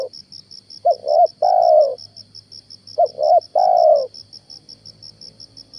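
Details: Lure spotted dove calling in the morning while trappers seek a wild dove: two clipped notes and a long mellow coo, given twice about two seconds apart. A faint low hum and a rapid high insect pulse are also heard.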